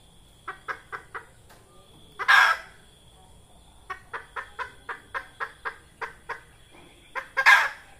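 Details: Red junglefowl hen, call used in trapping to lure birds: a few clucks, a harsh squawk, a regular run of about ten clucks, then another squawk, against a constant thin insect drone.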